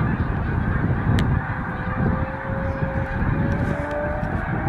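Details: Over an estimated 5000 migrating snow geese, heading north and resting at a stopover, calling at once in a dense, continuous din of nasal honks and barks blending into a steady roar.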